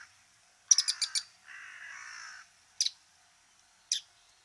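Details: Bull-headed Shrike in Japan: a rapid run of five harsh, sharp notes, then a lower drawn-out buzzy sound lasting about a second, followed by two single scratchy notes about a second apart.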